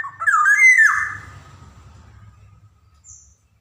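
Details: Black-naped oriole (Javan kepodang), a lively captive bird, calling to stimulate young orioles to sing: one harsh, nasal, cat-like note sliding slightly down, with a brief high squeak afterwards and a faint low hum.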